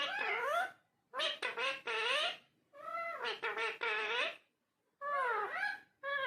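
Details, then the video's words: Talking parrot in a room uttering harsh, nasal, speech-like phrases with wavering tones, several quick stuttered syllables in a row, then longer wavering calls after pauses. "Talking Parrot"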